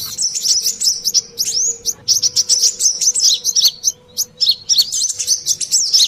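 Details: Brown-throated sunbird lure calls: an energetic stream of high, thin chirps and sliding notes delivered in quick pulses, over a steady faint low hum.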